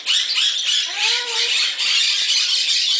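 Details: Pet male Moluccan cockatoo in a Summerville, South Carolina bird shop screaming continuously with a harsh, raspy tone, and a brief rising voiced sound partway through, indoors.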